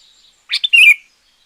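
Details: Single loud sooty-headed bulbul phrase from a champion bird, used to lure wild bulbuls or train quiet ones: quick chirp followed by a rich, slightly descending warbled note.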